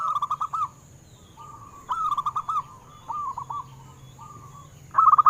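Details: Zebra dove, local strain, singing to prompt other doves: short separate phrases of three to five clipped coos spaced about a second apart, softer than usual, with quiet gaps and low hum.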